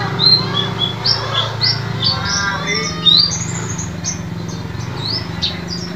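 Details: White-eye song used to coax silent caged birds into singing: a dense run of quick, high, sharply falling chirps and short trills over a steady low hum.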